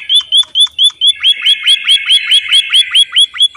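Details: Loud song of a white-headed munia: close, crisp upward-flicking chirp notes repeated quickly and regularly, roughly four per second, with a brief change in rhythm partway through.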